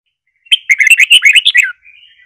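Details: Red-whiskered bulbul delivering a long Trà My style song phrase for training young birds: a single lively chattering run of quick chirpy notes, ending on a falling whistle and soft trailing sounds.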